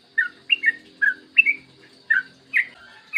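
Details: Short stretch of yellow-vented bulbul song used as a lure for other bulbuls. Several rich, bubbly whistled notes come in pairs and singles about every half second over a faint low hum.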